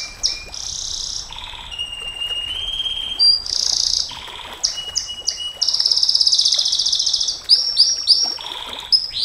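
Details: Long-firing canary song, recorded as a master for training and luring: high rolling trills, a steady mid whistle, a long fast rattle near the middle and quick repeated upward chips at the end.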